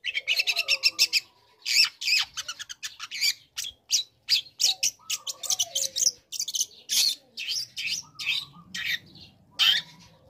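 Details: Young long-tailed shrike in full song while learning new material, used to provoke other shrikes into answering: a fast run of harsh, scratchy high bursts mixed with a few lower whistled slurs, closely packed over ten seconds.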